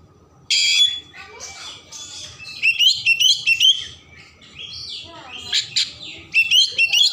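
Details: Oriental magpie-robin in loud, varied song to stir emotion and tail opening: a harsh opening blast, chattering trills, falling whistled slurs and sharp repeated notes, over a faint low hum.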